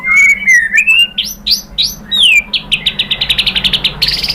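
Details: Song of a white-rumped shama played as a lure: slurred whistles and bold upward sweeps, then an accelerating series of short, high, clipped notes ending in a buzzy rattle.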